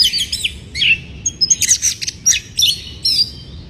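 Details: Oriental magpie-robin singing in breeding condition as a provoking lure: dense bursts of bright, high chirps and quick whistled slides pour out almost without pause, mixed with scratchy notes.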